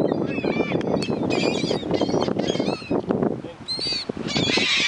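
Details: Gulls being fed on a beach at Key West, Florida, a crowd calling over one another with harsh, nasal squawks and yelps in a steady jumble, over a wash of wind or surf.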